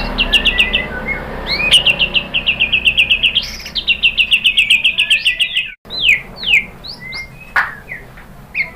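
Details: White-rumped shama singing a lure song meant to stimulate other birds to sing: a fast run of bright repeated chirps, about four per second, then sweeping whistled slurs and sharp upward notes after a brief break.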